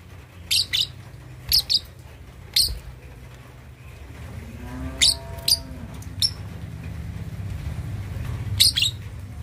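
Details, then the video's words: Juvenile lovebird aged two and a half months learning ngekek chatter to provoke opponents: shrill chirps in pairs roughly every second, with a soft tonal sweeping sound midway and steady low background hum. "Love Bird Usia 2,5 Bulan Belajar Ngekek"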